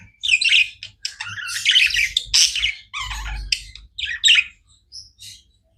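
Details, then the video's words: Indoor pet budgies in nonstop chirping, rapid bright twittering and scratchy warbles in quick bursts, tapering to sparse single chirps near the end, light low thumping in the background. "Budgies non stop chirping sounds"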